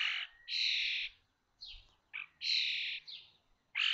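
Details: Common starling young calling from a nest box at Théding on 19 May 2024, the day all five chicks fledged at 21 days old: rasping, broad buzzy screeches, some long and drawn out, others short and clipped, with brief gaps.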